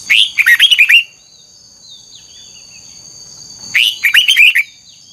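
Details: Voice-training song of an old wild-caught red-whiskered bulbul, twisted double notes: two bright, rollicking phrases nearly four seconds apart, each a rising note then a quick run of chirpy whistles, over a continuous high-pitched whine.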